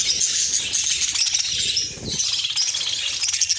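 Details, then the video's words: Several caged budgies chatter excitedly on seeing fresh corn in the cage: steady high-pitched twittering and squeaky chirps overlapping without pause, with a brief low thump near the middle. "كيف كانت ردة فعل طيور برؤية درة طرية في قفص"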